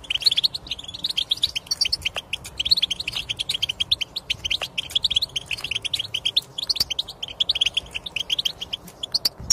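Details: European goldfinch song intended to encourage a quiet goldfinch to sing; dense, unbroken stream of fast high twittering notes with occasional sharp clicks.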